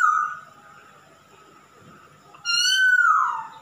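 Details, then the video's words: Male masked laughingthrush singing actively: a loud, full, harmonic whistle held level then dropping, a quiet gap, then a second rich whistle that rises slightly and slurs downward. "Kicau burung Poksay Hongkong jantan gacor"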